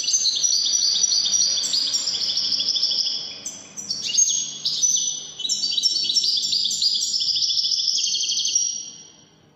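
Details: European goldfinch singing in the style called al-Widani: a rapid, continuous twittering of bright, high chirps and short buzzy trills, running almost without pause and briefly dropping in volume around the four-second mark, with no other sounds.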